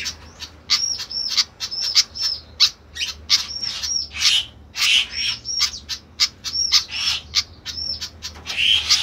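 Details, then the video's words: Flycatcher making a noisy mix of sharp chips and short whistled notes that hook upward, delivered in quick clustered runs. "ADA APA DENGAN BURUNG SIKATAN INI KOK RIBUT"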